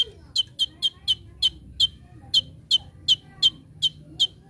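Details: Konin, the brown-throated sunbird, from a master recording for training birds in full 'tembakan' style. Only sharp, high, clipped chips are heard, repeated unevenly two to three times a second over a quiet background.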